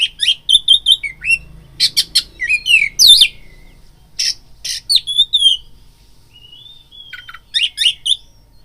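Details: Lure song of an oriental magpie-robin meant to trigger fighting: busy sequence of whistled notes, harsh buzzes and twisting slurs, a pause with thin whistles, then another short rattling burst.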